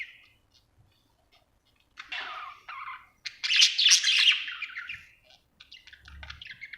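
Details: Happy pet budgerigar chirping indoors; after near silence, scratchy warbled chatter begins, swelling into a loud, harsh burst midway, then softer clipped chirps and a low thud.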